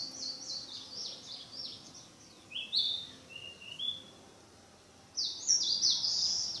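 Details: A Narcissus flycatcher in the mountains practising its song: halting, high-pitched buzzy phrases broken by a few clear rising whistles, with pauses between bursts over faint background hiss.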